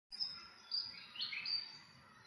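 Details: An Arctic warbler on November 18, 2021, gives a few short, sharp, high call notes over two seconds, with a faint steady high hiss in the background.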